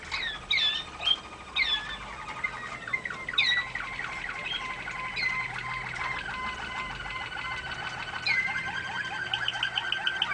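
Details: Waterslager canary singing for song training: quick sweeping notes at first, then long level tones and rapid rolling trills that run on without pause, over a constant hiss.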